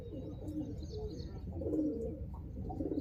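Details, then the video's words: Pigeons give low, throaty, rolling coos that overlap irregularly, with a soft indoor rumble beneath them. "Kabootar sound effect"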